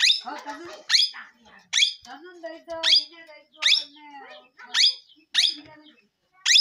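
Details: Parrot calling with loud harsh squawks roughly every second, each a bright broadband burst, with softer lower chattering and whistled notes between them.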